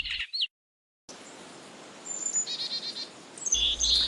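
High, thin Carolina chickadee notes: short whistled phrases and chips near the top of the range, after a brief silence, with a low rumble at the end.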